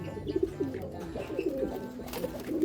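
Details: Racing pigeons cooing in a loft: low, throaty, rolling coos in short pulses, several bursts spread across the moment, with faint clatter and indoor background noise.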